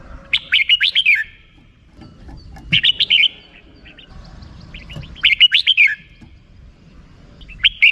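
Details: Red-whiskered bulbul giving rik-style song: short bursts of four to six bright, warbled whistles, repeated about every two and a half seconds with quiet gaps between them.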